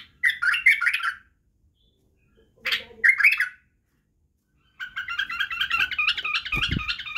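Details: Badrawi, or white-eared, bulbul singing as a lesson for young bulbuls. Two short, bright warbled phrases are split by a pause, then a long run of evenly repeated, bouncing notes. A low thud sounds toward the end.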